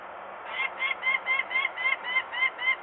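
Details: Peregrine falcon at a nest in Włocławek, Poland, on a May 2022 afternoon, screaming in alarm as workers make noise nearby with young on the landing: about nine harsh, slightly rising kak notes in three seconds, fairly distant.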